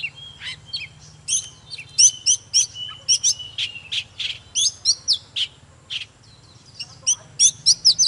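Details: Oriental magpie-robin in an intense singing display: rapid bright chirps and short whistled phrases, often in quick paired notes, repeated steadily, over a low constant hum.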